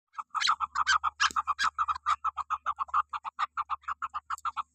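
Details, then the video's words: Female chukar partridge calling: a fast series of short, clipped chuk notes, about two per second, slightly uneven, with a faint low hum underneath. "Keklik Sesi"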